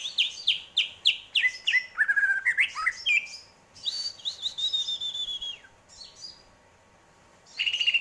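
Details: Greater green leafbird in varied song: a fast series of descending whistled slurs, then warbling notes and a long sustained high whistle that falls away, followed by a pause and a final clear whistled note.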